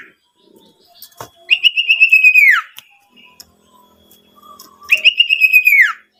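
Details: Owlet lure to make other owlets call and to tutor young birds. Two long quavering whistles, each steady and then falling away, are separated by a few seconds of near silence with faint clicks.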